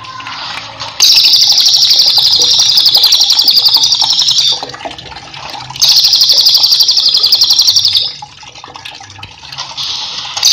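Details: Master song of a lively cililin for cage-bird training: three bursts of shrill, buzzy, rapidly pulsed trilling, the first two lasting over three and two seconds, separated by quieter chirping.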